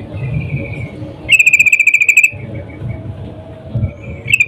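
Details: Sooty-headed bulbul female in breeding condition calling a male, played as a lure for singing males: a faint thin whistle, then a fast burst of about fifteen crisp repeated chattering notes, followed by hiss and one brief final note.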